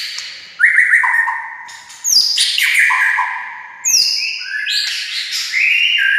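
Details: Song of a white-rumped shama, played to prompt silent shamas to sing back: rich sliding whistles in varied phrases separated by brief pauses, with sharp high notes and buzzy trills.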